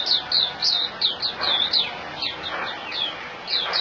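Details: Puteh, the white-eye, a kept bird in Singapore, sings a series of high, ringing downslurred chirps, several each second, with some softer notes and faint thumps between them.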